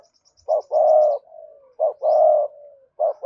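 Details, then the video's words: Spotted dove giving a repeated cooing call, each phrase a short clipped note followed by a long, steady, hoarse coo that trails off, recurring about every 1.3 seconds. Faint high tinkling notes come briefly at the start. "tieng cu gay kich boi nhanh noi thúc gù gáy gọi hai hậu"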